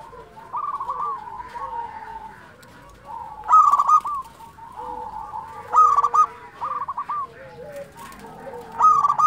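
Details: Local zebra dove singing freely: repeated loud bursts of quick beaded coos about every two and a half seconds, alternating with softer rising trills and low sliding coos.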